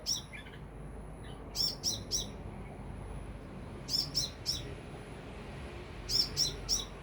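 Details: Sunbird about three meters overhead sings crisp high-pitched notes in triplets, repeated roughly every two seconds, with a faint steady high tone and little other sound.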